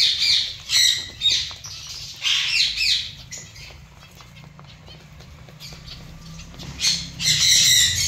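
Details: Zebra finch colony giving bursts of nasal, buzzy calls from many birds. The bursts overlap into dense chatter, separated by quieter stretches with scattered single calls.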